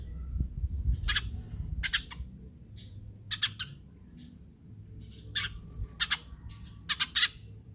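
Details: Eurasian tree sparrow, noted for its dense, close-packed voice, calling to lure other sparrows into sounding off. Harsh, scratchy chirps come in paired bursts roughly every second, growing busier toward the end. A low background hum continues throughout.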